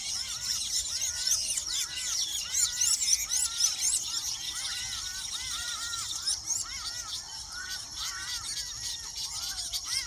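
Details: Weaver birds at their nests in the wild: a dense, buzzy, high-pitched chatter mixed with rapid, repeated arched chirps and squeals, many birds calling at once with no pause.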